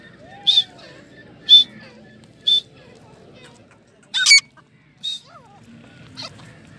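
Loud, shrill grey francolin notes ring out about once a second in a string of six, each high and ringing, over faint background murmur.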